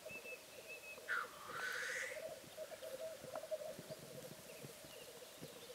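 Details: Male black grouse lekking on a bog: a steady, low bubbling coo rolls on throughout, broken by one loud, rising, hoarse hissing whoosh near the second mark; faint thin whistles of other birds sound higher up.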